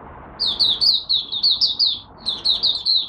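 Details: Malaysian oriental white-eye warming up its song for the day, a quick series of sharp, high chirped notes in two brisk bursts.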